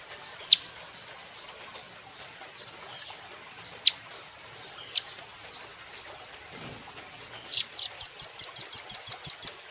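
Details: Velvet-fronted nuthatch on a cage-bird training recording: faint, spaced high chips with a few sharper notes, then a rapid burst of about ten piercing, evenly repeated high chit notes at the end.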